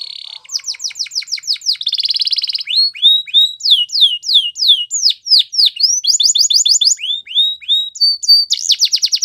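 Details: Champion-style Belgian canary song with varied tours: quick trills, a buzzy sustained passage, a series of loud downward-slurred whistles, then a fast rattling trill and more high whistled phrases.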